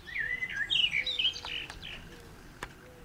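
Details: Loud, mellow fluting phrases from a Eurasian blackbird, rising and falling warbles packed into the opening second and a half, then fading. A pigeon coos faintly beneath it. Another blackbird sings nearby in the background.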